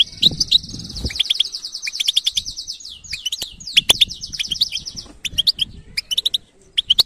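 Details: European goldfinch batbata song beginning with a continuous fast, buzzy trill of downslurred notes, followed by scattered bright chirps; some low rustling noise at the start.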